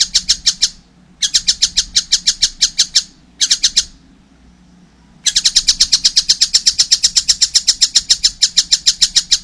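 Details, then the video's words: Juvenile collared kingfisher calling loudly while still small: bursts of fast, sharp, grating notes broken by short silences, then a long unbroken run of rapid repeated notes; a low background hum throughout. "wow masih kecil udah gacor , anakan burung tengkek buto"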